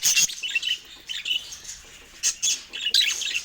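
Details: A budgerigar kept as a pet, chirping while it eats fruit. Short bursts of sharp, high squawky chirps are separated by brief quiet gaps, with a few faint rustles between.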